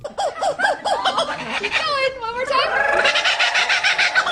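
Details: Laughing Kookaburra chorus, a bird of Australian eucalyptus forests whose call resembles human laughter: rapid rising-and-falling hoots building into a raucous, cackling laugh, several birds overlapping near the end.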